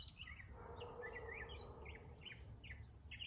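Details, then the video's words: Morning song of a northern mockingbird with multiple songs: busy, varied chirps and slurred downward notes in quick sequence, then repeated phrases spaced about half a second apart, against a faint mid-range hum and low background noise. "Northern Mockingbird Singing Multiple Morning Songs?"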